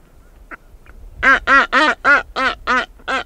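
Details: A female blue-footed booby walks around her nest site and calls close to the microphone. Two faint short notes lead into a rapid run of seven loud, rich, nasal honks, about three per second.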